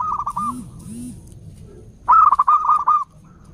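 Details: Zebra dove, local long-voiced bird used to call in wild doves: a brief coo at the start, then a loud rapid rippling phrase of quick notes, with low-pitched hooting sounds from another bird in the background.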